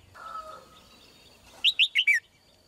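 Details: A female red-whiskered bulbul sings one melodious phrase of four loud, clear, falling whistled notes near the end, after a stretch of faint background noise and a soft tone.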